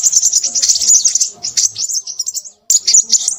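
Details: Crimson sunbird singing a rapid, high-pitched twittering song of thin, scratchy notes, broken by a short silence before a final burst of twitters.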